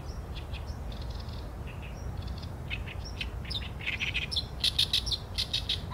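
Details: Oriental reed warbler song, recorded with a Sony A7M3 camera: harsh, grating chattering notes in uneven bursts that grow louder and denser toward the end, with thin high whistles between phrases over a steady low rumble.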